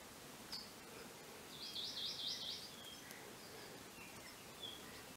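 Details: A one-year-old female Akikiki, foraging for her two chicks that fledged that morning, gives a quick run of high, thin chattering notes lasting about a second, with scattered single chips before and after, over steady background hiss.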